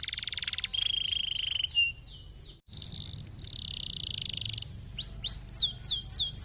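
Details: Canary singing as training song for silent canaries: a sustained high whistled note under a trill, a noisy masked middle section, then a run of clear, hooked, rising-and-falling whistles.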